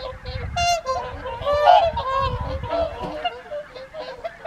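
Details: Evening feed of whooper swans on the Folly Pond, Caerlaverock, January 2023; several clear ringing honks stand out over a busier background of calling birds and low splashing rumble.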